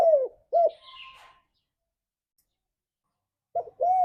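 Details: Spotted dove lure song for pet doves: two short low coos, a faint trilled phrase with a high twitter above, a long silence, then more arched coos resume.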